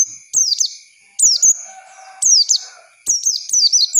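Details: Training lure of Oriental white-eye song for untrained birds learning ngalas: four bursts of high, quick, downslurred chirps, each of two to four notes, spaced about a second apart.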